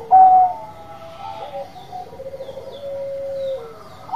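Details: Zebra dove of the Bangkok type: one loud clear coo opens, followed by softer sustained whistled tones and a faint quavering run of notes, with a brief coo returning at the close.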